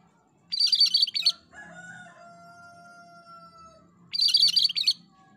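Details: Two loud, chattering cucak kerinci song bursts about three and a half seconds apart, separated by a long, steady, slightly falling crow-like call over a low hum.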